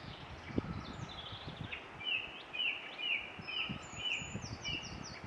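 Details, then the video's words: Eurasian treecreeper singing in Ross-Shire, Scotland, April 2016: faint, high, tinkling notes in a quick descending sequence ending in a small flourish, against persistent wind and low rumble. "Treecreeper 2016 April 22 Ross-Shire"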